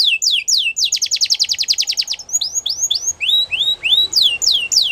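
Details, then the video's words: Canary song with swooping descending notes, a long rapid rattling trill of repeated high notes, then varied rising and falling whistled slides repeated several times per second. "The Most Beautiful Canary Singing"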